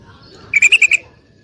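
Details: Short burst of five quick bright chirps from a female yellow-vented bulbul calling for a mate, fading into a quiet background.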